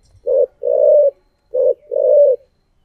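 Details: Decoy spotted dove cooing in the thổ voice style: two low, hoarse coo phrases, each a short note followed by a longer rolling one, in a quiet setting.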